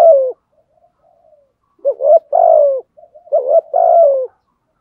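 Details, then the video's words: Spotted dove used as a decoy, cooing thúc gù: an opening falling note, a lull of faint murmurs, then two strong phrases of a short rising hoot followed by a drawn-out descending coo. "chim cu mồi THÚC GÙ bài bản"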